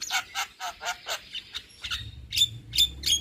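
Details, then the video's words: Young Javan myna, kept as a cage bird, giving harsh, raspy repeated notes about four times a second, then sharper squawks with short whistled tips near the end. "Kicauan Jalak Kebo Muda Gacor"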